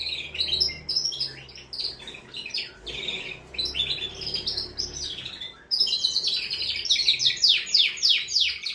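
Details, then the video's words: Canary in full song to arouse a female for mating: continuous chattering trills that grow louder halfway through into fast, sweeping repeated notes. "تغريد طائر كناري جبار يحفز الذكر ويهيج الأنثي لتزاوج"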